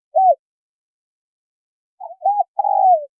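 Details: Female spotted dove calling to stir a male into cooing: a lone short hoot, a pause, then a low soft lead-in, a short coo and a long vibrating coo sliding lower, with nothing else heard.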